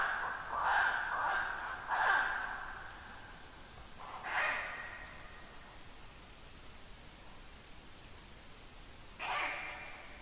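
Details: Ural owl giving harsh, hoarse barks under a black stork nest tree at 00:26 at night on 1 August 2022: a cluster of rasping bursts over five seconds, then a lone bark after a pause, against a quiet night background.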